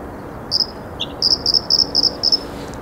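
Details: A Bluethroat gives a string of high, thin, metallic notes, about eight in two seconds, with one lower note early on, over a soft steady hiss; recorded 15 April 2021 with a singing male in a willow and a female in reeds.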